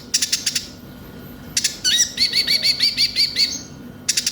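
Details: Van Hasselt's sunbird (konin) song meant to coax caged birds into singing: a burst of chips, a pause, then a steady trill of about nine quick, high, bouncing notes.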